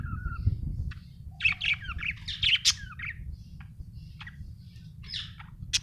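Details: Happy budgerigar chirping: a falling whistle, then a busy chattering warble of squeaky notes, clicks and short sharp chips, over a steady low hum.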